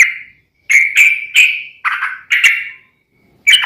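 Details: Sooty-headed bulbul ropel song used as a lure for other bulbuls: a drawn-out whistle, then several slurred, slightly harsh notes in pairs with short pauses, ending on a sharp clipped note.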